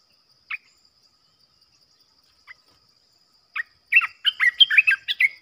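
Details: Three widely spaced single chirps from a trapping-decoy olive-winged bulbul, followed by a fast, lively string of gurgling, slurred notes packed closely together near the end.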